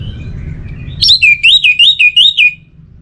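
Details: Orange-headed thrush delivering one rich warbled phrase of about seven wavering notes that swing up and down, preceded by faint thin whistles over a low hum.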